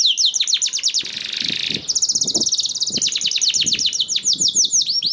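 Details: Canary singing as a prompt meant to set other canaries singing: rapid high chirp trills, a buzzy harsh stretch around one to two seconds, then dense repeated sweeping notes with faint low knocks underneath.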